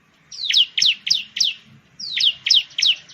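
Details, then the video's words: Song of the bar-winged prinia (ciblek): two quick runs of bright, piercing notes, each starting with a long falling sweep, then rapid down-slurred chirps about four times a second, over a quiet background. "suara burung ciblek/ciblek sound"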